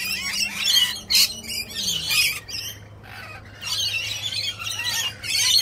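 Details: Wild flock of rainbow lorikeets lined up in an orderly row, giving harsh, screechy high squawks in bursts with short quiet gaps, several birds calling over one another.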